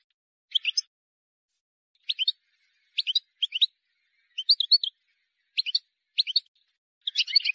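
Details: Wild European goldfinch song intended to teach fledglings, here given as spaced pairs and triplets of sharp, bright chirps every half second or so, building into a denser twitter at the close.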